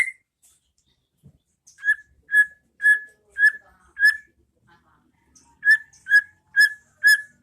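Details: White-rumped shama pastol ngeplong song played as training material for caged birds: steady clear whistled notes on one pitch, repeated about twice a second in two runs split by a short silence.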